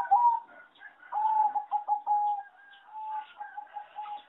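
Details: Farm-bred zebra dove kept for singing competitions: a rising coo opens, then a burst of throbbing, clipped notes and drawn-out coos. Fainter dove coos and chirps continue throughout.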